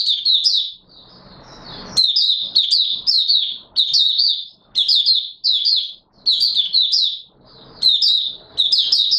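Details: Opening song of an Oriental white-eye (Mata Puteh Raja), 24 March 2022: repeated bursts of high, rapid twittering about every second, each a cluster of sharp slurred notes.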